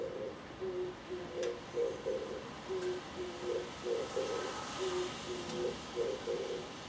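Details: Oriental turtle dove (Streptopelia orientalis) singing on a power line, recorded from a home balcony; it also preens. Low, hollow coos in a lilting multi-note phrase, repeated steadily over a soft background hiss.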